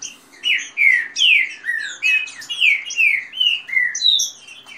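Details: Rain-style fast song of green-winged saltators competing in captivity, with female calls mixed in. Evenly spaced loud downslurred whistles follow one another about three per second throughout, under fainter high chips.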